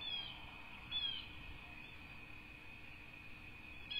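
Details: Bald eagle chicks, two of them, in a rebuilt nest on a cattle ranch in Southwest Florida, USA, dated 5-2-24: a few thin, high chirps with a downward slur, over a steady high electronic hum and low rumble.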